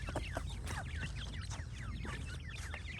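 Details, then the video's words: Francolin chicks calling: a dense stream of short, high, downward-slurred peeps repeated rapidly throughout, several young birds overlapping one another, over a steady low rumble of background noise. "تیتر کے بچے اور مست آواز"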